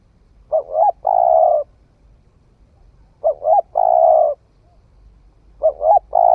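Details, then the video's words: Spotted dove, a young bird newly starting to coo, heard in the forest, giving a low hollow coo phrase of two short notes and a long drawn note, repeated three times about every 2.7 seconds. "Tiếng chim cu gáy mới nổi thử rừng"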